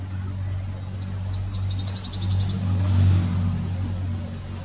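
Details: Grey-breasted prinia (Prinia hodgsonii), also called Franklin's prinia, gives a few high chirps, then a quick, even series of about ten thin, sharp notes over a steady low engine rumble.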